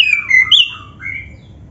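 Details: Oriental magpie-robin, black-breasted form, singing loudly with mimicked phrases to set other magpie-robins singing; a brief burst of strong downslurred whistles and a sharp high note, trailing into softer fading slurs.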